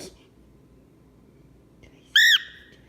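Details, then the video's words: Indoor pet cockatiel in a grouchy mood, hormonal or wanting something, giving a single loud, shrill arched yell with rich harmonics after a faint short note; a person speaks gently to the bird around it. "Grouchy Cockatiel Yelling"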